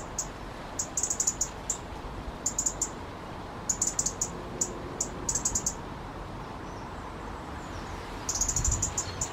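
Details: Agitated resident robin with two other robins close by: bursts of high, needle-thin ticks come in quick runs, pausing and resuming several times, ending with a denser rattling flurry, over a steady low rumble.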